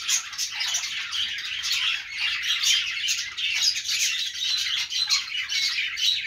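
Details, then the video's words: Australian parakeets known as budgies keep up an unbroken, busy chatter of shrill chirps, squeaky warbles and short whistles that overlap one another, the level swelling and dipping every second or so. "budgies sounds | parakeet chirping sounds |Australian parrot sounds"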